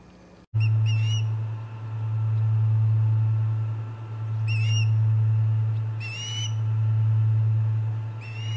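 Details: Osprey at the Charlo Osprey Nest on 29 August 2021: short, high whistled chirps with bright overtones come in brief clusters every couple of seconds, over a loud, steady low hum.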